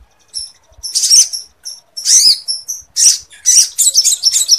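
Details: Lively sogon song filled with lovebird phrases, meant for training birds and boosting breeding readiness; high, shrill chattering bursts and thin whistled notes, separated by brief pauses, growing into a continuous twitter near the end.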